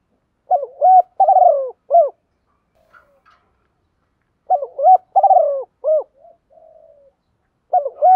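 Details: Spotted dove lure call used to provoke decoy birds: three bursts of low, hollow cooing phrases, each a quick run of rising and bending coos, at about 0.5, 4.5 and 8 seconds, with a faint soft coo between them. The background is quiet.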